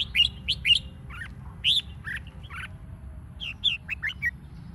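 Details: Red-whiskered bulbul lure singing meant to provoke competitive singing in other bulbuls; lively run of quick liquid whistles, about two notes a second, in two bursts separated by a short pause.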